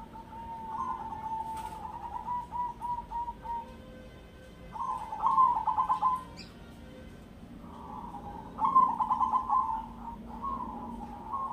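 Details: Crossbred zebra dove performing the ketek dobel rhythm: a long run of small rippling coos, then two bursts of pulsing trilled cooing separated by pauses, over steady low background hum.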